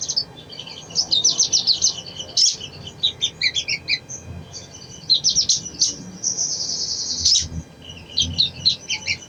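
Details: Crimson sunbird song intended to make a lazy bird sing: fast, high, buzzy twitters in bursts, then a sustained thin trill, followed by a few more sharp chips.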